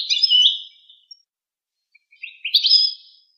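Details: A goldfinch gives two high, rapid chittering phrases, the first sliding down, the second rising with a buzzy trill, separated by a brief quiet gap.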